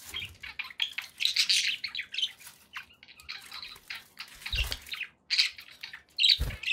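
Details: Pet budgerigars chirping and warbling in irregular bursts, with a few sharp squeaks and occasional low thuds, over a hissy background.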